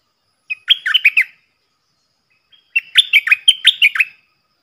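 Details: Stripe-throated bulbul decoy singing a loud, clear doubled song meant for young birds to copy and to draw in wild birds: two quick runs of chirpy, bouncing warbled notes, the second longer.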